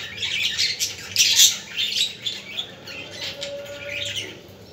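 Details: Budgerigar chatter for stimulating budgies: bright squeaky chirps and warbled twitters, loudest early on and then fading into softer chatter.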